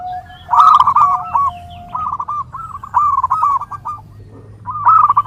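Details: Zebra dove song meant for training and luring: a long even lower tone gives way to rapid stuttering cooing phrases, a quiet pause, then a fresh bright burst at the end.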